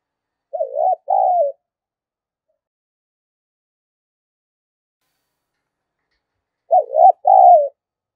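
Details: Spotted dove giving thúc gù cooing, used as a lure to rouse wild doves: two low phrases, each a wavering coo followed by a fuller rounded note, separated by roughly six seconds of silence.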